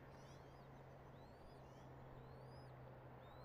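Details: Eagle at a nest in Redding, recorded 24 March 2022 at 06:34: faint, thin upslurred whistled chirps repeated several times a second, heard over a steady low hum and broadband background rumble.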